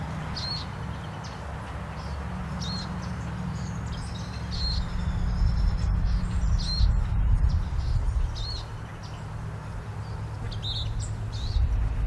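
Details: Western Wood-Pewee fledgling sitting and begging as a parent brings food, Chama, New Mexico, August 15, 2016: thin, high begging notes about every two seconds, some doubled, over a steady low rumble of wind or distant traffic.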